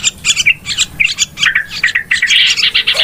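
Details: Yellow-vented bulbul noisy calls used as a lure for trapping birds: a busy jumble of short chirps and bubbly notes, several overlapping, with one louder trilled run near the end.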